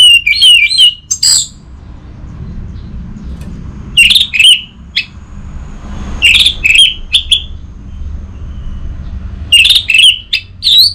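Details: Orange-headed thrush song meant to coax silent birds into singing: clusters of short whistled and warbled notes delivered in four bursts a few seconds apart, with quiet gaps between and soft low hum throughout.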